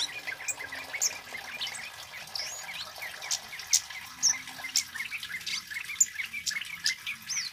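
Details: Loud continuous song of a male Scarlet-headed Flowerpecker, used to attract birds and as a training model: high, thin chips about two per second, mixed with brief rising whistles and piercing accents, over light hiss.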